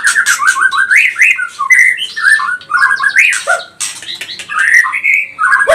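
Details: White-rumped shama of the pastol type, a lure recording meant to rouse other shamas into fiery, aggressive singing; rapid varied song of loud whistled slurs and rising notes mixed with short harsh rasping bursts, almost continuous.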